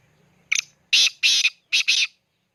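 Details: Black francolin calling in Khushab: a loud harsh sequence of grating notes, one short note followed by paired rasping bursts in quick succession, with a faint low hum before the call.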